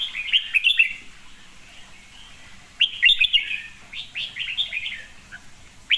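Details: Red-whiskered bulbul giving bubbly, liquid whistled phrases in two main bursts separated by a quiet gap, each a jumble of quick rising and falling notes, with some clicking sounds.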